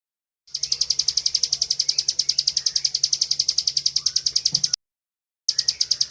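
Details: Bar-winged prinia singing a vigorous rapid 'ngebren' song meant for tutoring other birds: a fast, even series of sharp high chips, about three to four per second, with a brief pause near the end.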